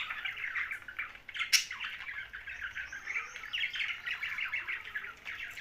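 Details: Steady scratchy chirping and warbled chatter from a young budgerigar in Larkana, Sindh, with one sudden sharp click near the start.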